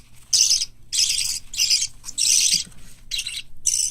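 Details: Hand-reared parakeet chicks, white lovebird, cockatiel and budgerigar, growing well indoors before tame training: harsh, hissing, high chirps in loud bursts of about half a second, uneven, roughly every half second to second.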